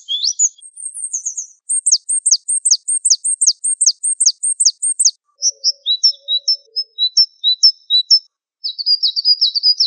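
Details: Java sparrow (Gelatik Wingko) in a tutor recording: varied high phrases, starting with sweeping notes, then a fast run of sharp repeated chips, softer paired ticks, and a closing buzzy trill.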